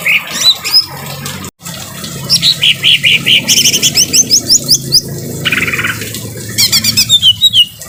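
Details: Greater green leafbird singing harshly with rain sounds behind: short whistled notes, repeated buzzy phrases, rapid chattering rattles and a brief break, over constant low background noise.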